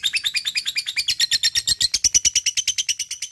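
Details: Lovebird's long chattering ngekek, meant to make rival birds respond: evenly spaced, loud, harsh pulses running continuously at about eight per second.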